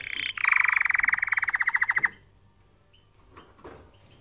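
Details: Canary singing for training: a fast, even roll of rapid pulsed notes lasting about one and a half seconds, beginning with a sharp note and ending abruptly, followed by near silence with faint scattered clicks.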